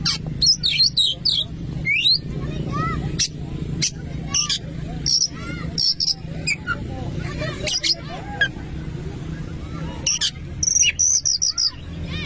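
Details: Oriental magpie-robin song played to provoke a rival magpie-robin into singing: dense run of varied chirps, short upslurred whistles and high buzzy notes, with a low hum underneath.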